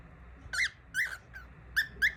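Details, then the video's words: A baby cockatiel makes five short, squeaky chirps. Each chirp rises and then falls, and they come in uneven bursts against a quiet indoor background. "singing baby #cockatiel"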